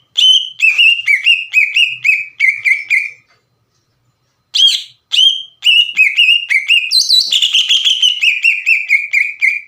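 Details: Provoking green leafbird song for untrained leafbirds to answer: a quick sequence of clear falling whistles, a pause of over a second, then a resumed, longer and busier stream of sharp whistled notes.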